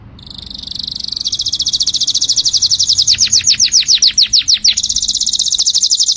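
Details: Canary singing a bright, high song: a thin rising whistle, then rapid even trills and a run of fast falling notes repeated several times a second, ending in a buzzy high trill.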